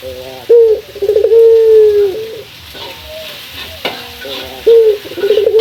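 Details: Morning calling of a male local Barbary dove toward a rival: a short coo then a long steady low coo, soft purring in between, another phrase beginning at the end, with faint clatter behind.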